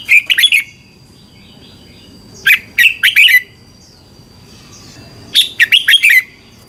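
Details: Thai red-whiskered bulbul, song played to caged birds for training or excitement: three matching phrases of four to five bright, bouncing whistled notes, roughly every two and a half seconds, with a thin steady tone behind.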